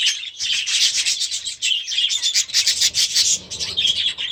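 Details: Grown-up young budgerigars in their new aviary early in the season; steady, busy high-pitched chattering from a flock, rasping and continuous, with faint low rustling near the end.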